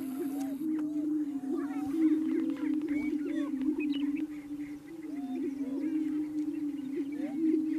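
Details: Male greater prairie chickens booming at a lek near Wray, Colorado, in April, dancing to attract females; steady low droning boom underneath repeated rising whoops and short cackles from many birds.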